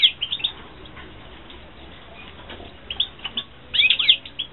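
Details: European goldfinches in a 2016 breeding aviary: sharp, high chirps opening the stretch, a quieter pause, then a cluster of ringing, slurred twitters near the end.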